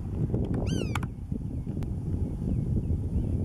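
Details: Black-tailed godwit recorded at Marken in June 2020: a single brief nasal, arched call doubled in quick succession, with faint distant notes afterwards, over steady low wind rumble.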